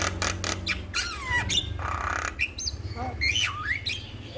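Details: Male Javan myna singing in a master recording intended to stimulate other mynas: scratchy notes, swooping whistles rising and falling, a hoarse rasp, over a steady low hum.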